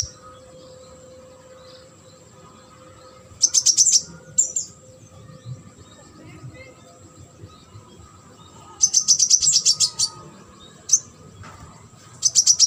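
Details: Sunbird, a competition bird, produces fast, very high buzzing rattles in bursts of about a second, separated by quiet stretches, with a single sharp note between them.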